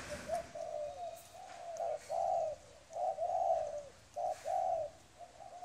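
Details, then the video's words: Wild-caught spotted dove delivering deep, rounded coo phrases, grouped notes with a slight burr, repeating roughly every second or two over a quiet hiss. "Cu gáy bổi"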